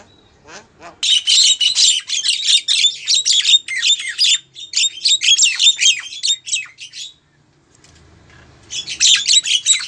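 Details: Javan myna female calling a male: dense bursts of harsh, chattering and squawky notes with high whistled accents, rapid and irregular, pausing briefly near the end before resuming.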